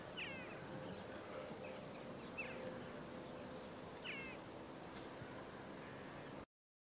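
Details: Jackdaws in a flock before a storm: three brief, bright, slightly rising calls spaced a couple of seconds apart, over a steady hiss of wind, ending abruptly in silence.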